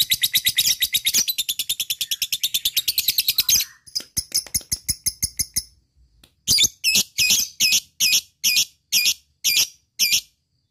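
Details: Lovebird lure call meant to prompt other lovebirds to answer, with the long 'ngekek' chatter: a fast, dense, high buzzy trill for almost four seconds, then shorter ticks and loud, harsh, evenly spaced shrieks about twice a second.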